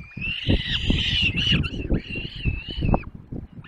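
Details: Peregrine falcon chicks being fed at the nest in the Barycz Valley, Poland, on 6 May 2021: drawn-out, wavering whining squeals, overlapping and sliding up and down, over dull low thumps and rustling.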